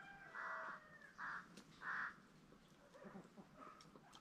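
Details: Peafowl on a farm keeping green and Spalding peacocks: three loud, harsh, honking calls in about two seconds, each broad and nasal, followed by quieter scattered calls and faint background noise.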